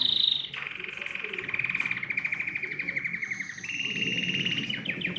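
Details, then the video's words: Canary singing steady rolling trills with a shift to a higher trill partway, over a faint low background murmur. "تغريد كناري يحفّز الطيور على التغريد"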